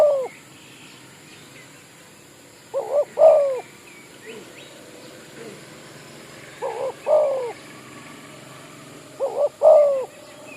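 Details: Spotted dove, a village-kept bird used as a decoy to lure wild doves at an oil palm site in Malaysia, giving soft two-part cooing phrases, a short note then a longer rolling coo, about every three seconds over faint background hiss.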